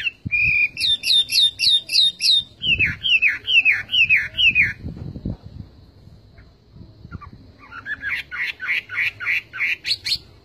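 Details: Song of the Chinese hwamei changing phrase types: a row of high doubled notes, a run of descending slurred whistles, a quiet gap, then rising repeated notes, with some low thumps.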